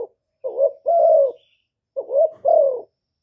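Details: Decoy spotted dove, Cà Mau, Vietnam, cooing to attract wild doves: a brief rolling note, then a long, level, then falling coo, given twice with a short gap, with nothing else audible.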